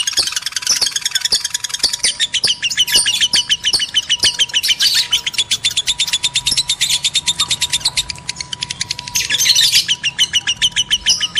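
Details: Lovebirds of both sexes in lengthy shrill chatter meant to spark mating, evenly pulsed high chirps running continuously, swelling into a denser squealing burst near the end.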